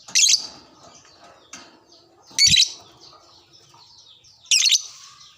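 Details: Prompted by another lovebird, a lovebird answers with three loud, grating shrieks roughly two seconds apart over a steady, soft buzzy high chatter.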